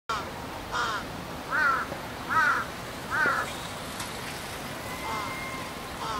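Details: Large-billed crows, a juvenile calling with its parent at different pitches, on 13 June 2015, give hoarse, nasal caws: a run of four under a second apart, then two softer ones, over a low rumble.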